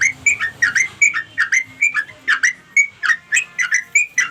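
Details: Sooty-headed bulbul summoning companions with ringing, whistled notes. Some notes rise and others fall, and they are spaced unevenly, about three per second, against a quiet background.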